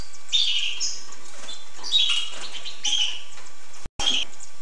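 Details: Twittering song of a hooded siskin, a jumble of fast high chirps and warbled phrases in quick succession, with a brief break near the end and steady background hiss.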